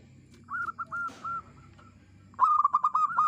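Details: Local zebra dove kept as a lure bird: a softer series of drawn-out coos, then a loud, rapid run of clipped bubbling coo notes.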